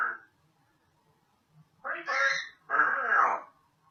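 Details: Indoor pet African grey parrot, a female, producing two voiced, speech-like phrases of about half a second to a second each, nasal and slightly quacking in tone, after a brief opening syllable.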